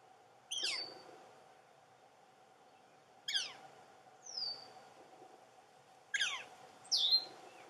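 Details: A juvenile northern flicker, still in its nest hole in a pond-side snag after its siblings may have fledged, repeats harsh, descending buzzy calls every two to three seconds. One softer sliding note is among them, over a faint steady hum.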